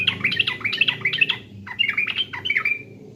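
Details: East Javan sooty-headed bulbul, or trucukan, singing a pancingan lure song: rapid chattering run of gurgling, up-and-down notes, brief pause, then a second bubbly phrase ending on a drawn-out note; low hum underneath.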